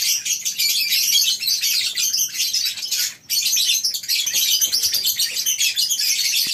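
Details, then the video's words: Morning at a lovebird breeding farm's colony aviary, with many birds giving rapid, piercing high chirps that overlap into a steady chatter, broken by a short pause midway. "Suara Love bird"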